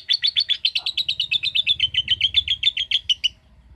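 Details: Lovebird making its quick 'ngetik' typing-like sound, a fast run of sharp, bright chips repeated almost four times a second for over three seconds, each note slightly buzzy, with a faint low hum underneath.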